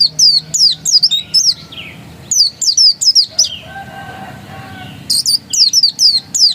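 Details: Oriental white-eye (pleci dakun) singing ngotot style: rapid high slurred chirps in phrases, a quiet gap in the middle with faint softer tones, then the twittering resumes.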